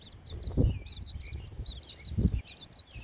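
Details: Baby chicks outdoors on a windy day; faint, thin wavering peeps drift through the recording while strong gusts of wind thump and roar over the microphone.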